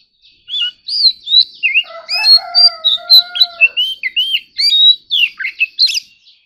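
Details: Oriental magpie-robin in fighting song, a kept ornamental bird, pours out quick whistled phrases of rising and falling slurs. A lower, sustained, reedy tone runs under the middle of the phrase.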